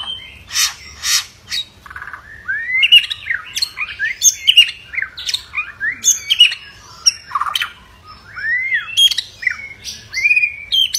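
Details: Aggressive white-rumped shama singing to goad other shamas into song and fighting: loud, jumbled run of short slurred whistles and sharp chips with harsh buzzy bursts, delivered in quick uneven bursts.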